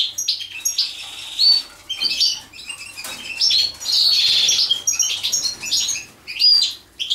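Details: Mating European goldfinch producing scattered high chirps and tinkling twitters mixed with wing flutters and rustling, loudness rising and falling in irregular bursts.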